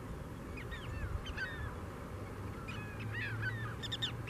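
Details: Flock of four Ruddy Turnstones in breeding plumage, Michigan, May 16, give quick bursts of short, down-slurred chattering notes in two clusters over a steady low rumble of wind or surf.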